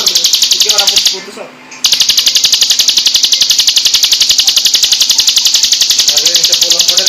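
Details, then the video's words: A mountain prinia, sung as a training song. It gives a loud, continuous stream of high buzzy chirps, nearly four per second and very even, broken once by a brief pause. "MASTERAN BURUNG CIBLEK GUNUNG"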